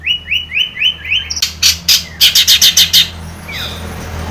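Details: Long-tailed shrike lure recording for captive birds: a run of six rising whistled notes, then a rapid string of harsh grating buzzes and one final falling whistle.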